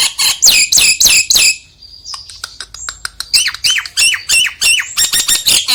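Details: Nias hill myna singing, used as a lure to stir a lazy myna into voice: a burst of five harsh rasping squawks, a brief pause with clicks, then a rapid run of bright falling whistles and squawks.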